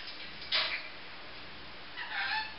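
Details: Pet grey green olive lorikeet, female, voicing a sharp high squeak followed after a gap by a softer, drawn-out grating call, indoors and otherwise quiet.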